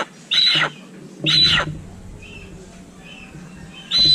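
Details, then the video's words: Little hornbill calling: three loud, rasping, broad squawks with long gaps between them, plus faint softer chirps in the quiet stretch. "Little Hornbill with natural sound"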